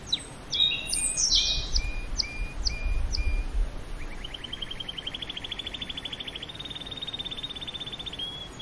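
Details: Song of a canary: scattered high chirps and short flat whistles with some low rumbling noise, then a long, rapid, rolling trill held at steady pitch for over four seconds.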